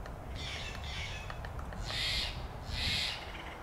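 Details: Nuttall's woodpecker on a coast live oak in Del Monte Forest, California, gives four harsh, rasping bursts about a second apart, the last two louder, over a low background rumble; the bird was also heard drumming loudly.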